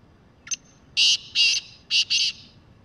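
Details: Black francolin, wild and free, giving its loud rasping call. A brief thin note leads into four harsh, buzzy notes, two spaced and two paired, spanning about one and a half seconds.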